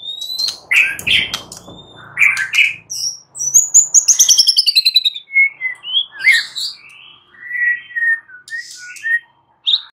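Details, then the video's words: Varied white-rumped shama song at night, used as a lure to prompt an answering bird: rich whistled phrases, a rapid rattling trill of about a dozen notes, then scattered warbled and whistled notes with pauses. "Pancingan Murai batu MALAM HARI Auto NYAUT GACOR"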